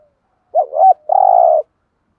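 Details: Spotted dove kept as a lure to attract other doves, uttering one low coo: a dipping, wavering first note followed by a longer, even, buzzy tone.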